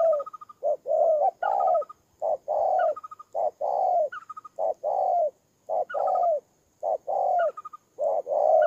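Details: Spotted dove kept as a ground decoy bird, recorded in Tumorong, Kon Tum, Vietnam, on 23 September 2018; mellow two-part coos, a short note then a longer falling coo, about once a second, with thin higher chattering notes between phrases.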